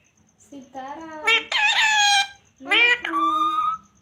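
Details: Pet talking parrot speaking in a harmonic, voice-like tone: a rising drawn-out word, a loud strained phrase, a pause, then another two-part word.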